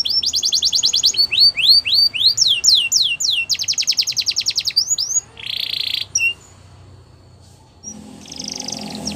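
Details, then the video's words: Belgian canary song of whistled sweeps and rapid trills for several seconds, followed by a harsh buzzy burst, near silence, and faint noisy sounds at the end. "Do This And Your Canaries Will Never Stop Singing | Belgian Canary"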